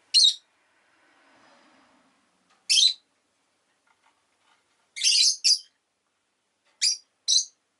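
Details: Rosy-faced lovebird calls with high, harsh chirps, often doubled, separated by pauses, with a faint murmur of background noise early on.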